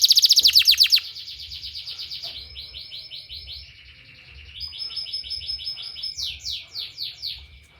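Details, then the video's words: Canary song used as therapy audio for training canaries: a loud burst of rapid sharp notes, then softer shifting rolls and rattles that change pitch step by step, closing with a few downward-swept whistles; steady high whine behind. "suara terapi kenari ampuh"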